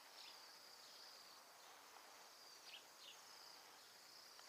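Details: Wintering Bohemian Waxwings in Alberta, roughly a hundred birds at mountain ash berries in a neighbourhood: a steady high sibilant trill chorus, with a few brief descending notes standing out near the middle.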